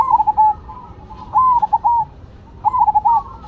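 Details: Zebra doves, perkutut of cemani and silver types, singing in turn: three quick phrases of bright, staccato coos, each about half a second long, with quieter cooing between them.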